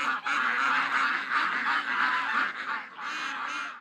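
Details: Hundreds of ducks and geese, over 700 in all, crowding to the lake on an August 2015 morning; an unbroken roar of overlapping honks and quacks that swells, briefly dips, then fades out.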